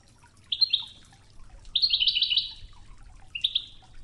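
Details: European goldfinch singing the Ouidane style on a training recording with river water: a brief high twitter, then a longer rippling trill of rapid up-and-down notes, and a short final flourish, soft water trickle behind.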